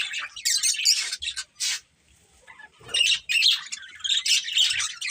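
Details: A breeding pair of budgies producing scratchy, squawky high chirps in clustered bursts, a quiet gap of about a second, then renewed rapid chattering warble.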